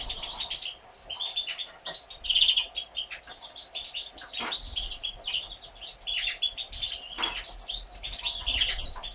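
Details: Three one-day-old European goldfinch chicks, hatched 1 April 2017, begging while their mother feeds them; dense high thin chirps and squeaky notes crowd the whole stretch with brief louder bursts, a faint steady hum beneath.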